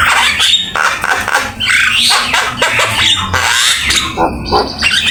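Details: Varied Javan myna song used as a master for training: coarse, noisy squawking phrases interspersed with rising whistled sweeps, loud and crowded.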